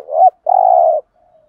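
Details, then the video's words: Spotted dove giving a formal-style lure coo meant to make wild birds answer: a short rising hoot swelling upward, a brief gap, then a long steady low mellow coo trailing into a faint fading note. "tiếng cu gáy THÚC GÙ bài bản/ chim cu gáy giọng bài bản giúp bổi ức chế và gáy theo"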